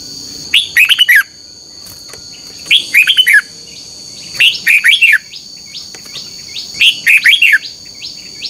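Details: Captive red-whiskered bulbul giving morning duelling song to stimulate other bulbuls: four energetic phrases of chirpy, descending whistled notes, one about every two seconds, against a continuous high-pitched drone.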